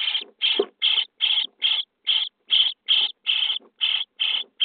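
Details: Begging of common starling nestlings inside their nest box on the 23rd day, at feeding time: a steady series of rough, scratchy rasps, about twelve, roughly two per second and fairly regular.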